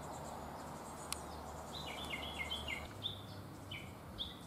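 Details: Japanese tit after fledging from a nest box gives a loose run of thin, high chirps and short slurred notes, several each second, over a steady hiss of background noise.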